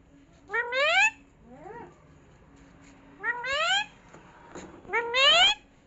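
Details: Pet parrot indoors said to be talking "mummy mummy": three loud voiced utterances with rising, harmonic-rich sweeps, at about half a second, three and a half, and five seconds, plus a softer rising call in between over a faint background hum.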